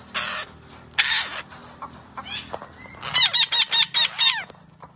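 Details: Green parrot making scattered rough, noisy calls, then a rapid series of six ringing squawks at the end.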